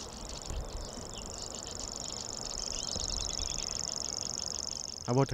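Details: A male common grasshopper warbler reels on without pause, a high, dry, insect-like trill, from dense reeds low to the ground in marshy Amsterdamse Bos at dusk; females don't make it. Other birds chirp faintly, a brief low voice at the end.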